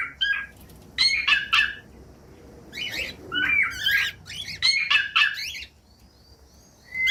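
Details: Cockatiel chatter used to encourage other cockatiels to sing: bursts of scratchy, chirping notes in clusters about once a second, with quiet gaps and a faint whistle at the end.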